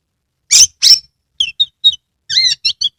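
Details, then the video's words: Kept Oriental magpie-robin from Kebumen, Central Java, tail spread: two loud harsh squeaky notes, then a run of short high whistled chirps and a brief warbled phrase. "Kacer gacor TANPA IKLAN buka ekor full konslet"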